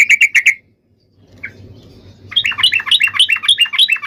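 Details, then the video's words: Yellow-vented bulbul fighting song, a long rolling lure meant to make other bulbuls answer: four short bright notes in quick succession, a pause with faint low hum, then a fast bubbly chatter of rising and falling notes. "trucukan gacor SUARA TARUNG INI menjadikan burung trucuk gacor NYAUT SEKETIKA"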